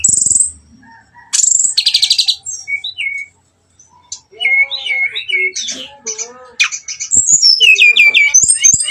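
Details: Lure song of a brown-chested jungle flycatcher meant to make birds emotional and fight: a sharp high whistle, a buzzy trill, then warbling curved whistles with lower arched notes and fast sliding phrases at the end.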